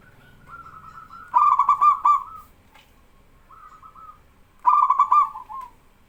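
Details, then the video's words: A local male zebra dove sings to set other doves calling. Two loud, rolling, bubbling coos, each about a second long, alternate with softer, shorter coos in between. The background is quiet. "BURUNG PERKUTUT LOKAL JANTAN GACOR BIKIN PERKUTUT BAHAN IKUTAN BERSUARA"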